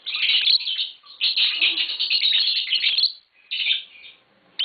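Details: Green Fischer's lovebirds, hand-tamed and kept indoors, give a long scratchy twittering run of sharp high chirps, then a short pause and further squeaky bursts.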